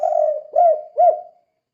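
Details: A spotted dove coos to provoke other doves into calling, with a drawn-out low note followed by two short arched coos about half a second apart, ending in a trailing tail.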